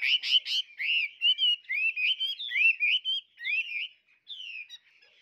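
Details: Tame caged Chinese hwamei, a young adult bird, singing vigorously: a rapid run of loud, varied whistled phrases, some rising and some falling, with a few buzzy notes at the start. The song fades out toward the end, with no other sounds.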